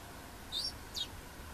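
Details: A Yellowhammer recorded at Plochocin in July 2013 gives two brief, sharp, high 'tsik' notes about half a second apart, over a faint steady background hiss.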